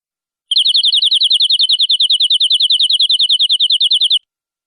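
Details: Canary long song used to tutor young birds: one even, rapid trill of clear repeated notes, roughly ten per second, held for nearly four seconds in otherwise silent surroundings.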